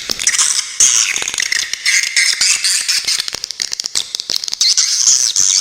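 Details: Swiftlet call recording made as tutor material for songbirds, with sharp rasping besetan notes: dense, high, buzzy chatter broken by rapid clicks and scratchy bursts throughout.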